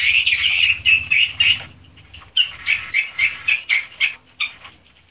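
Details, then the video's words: Swiftlets in the owner's swiftlet house: a busy burst of overlapping chirps, a short lull, then a series of separate sharp twittering notes, about three to four a second, with thin high whistles between. "REKAMAN SUARA BURUNG WALET ASLI DI RBW SENDIRI"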